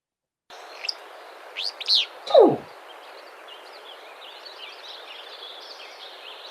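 A Willow Flycatcher gives a brief, sneezy two-part song of high, quickly slurred notes, over a steady hiss with a low downward sound just after.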